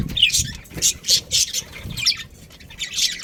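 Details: Budgerigar breeding pair, pet Australian parrots: short harsh squawky chirps in bursts, about five loud notes spaced roughly a quarter to half second apart, with brief quiet gaps and faint low rumble underneath.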